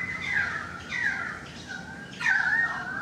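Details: Three clear, mellow whistled notes from a currawong, each sliding downward and slightly wavering, spaced about a second apart, recorded on a balcony.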